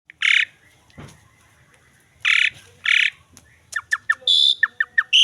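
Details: Asian pied starling song used as a master recording to train and lure starlings: loud harsh squawks in separate bursts, then a quick series of short descending chips and a bright whistled note.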